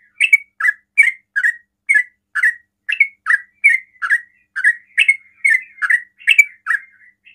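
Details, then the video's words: Rapid 'ropel' song of a sooty-headed bulbul used to lure other bulbuls into replying: a steady string of short, slurred, chirpy notes, roughly two per second, in a quiet setting. "TRUCUKAN ROPEL PALING CEPAT MEMANCING TRUCUKAN LAIN NYAUT"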